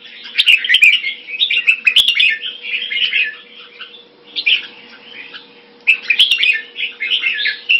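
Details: Red-whiskered bulbul kept in a cage, delivering bursts of rapid chattering, warbled notes with short pauses between phrases, a faint steady hum and occasional sharp clicks beneath.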